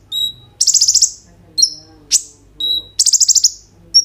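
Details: Kolibri ninja sunbird in full song with 'isian roll tembak' fill, recorded on an Oppo A37f phone for use as a lure: high thin whistled notes alternating with rapid pulsed trills of about half a second, repeated; faint low hum beneath.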